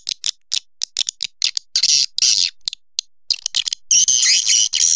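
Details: Short sharp swiftlet chips spaced irregularly, building into longer harsh, buzzing twitters toward the end.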